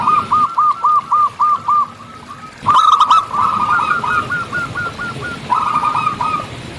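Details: Zebra dove, local type, singing in nature: a steady string of about eight spaced, bubbling hooked notes, then a sharp click and a faster, overlapping cascade of coos.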